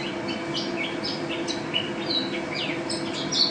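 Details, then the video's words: Champion mountain white-eye, first place nationally, sings a high, hurried warble of short chirps, thin upslurs and sliding whistles, somewhat softer, with a steady low background hum. "Pleci Juara 1 Nasional pleci Gacor juara nasional teler gacor ropel"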